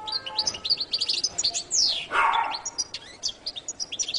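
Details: Goldfinch (jilguero latino) singing a rapid, lively twitter of high, bright chirps and short trills, repeated continuously, broken midway by a loud sweeping sound falling from high to low, over a faint steady low hum.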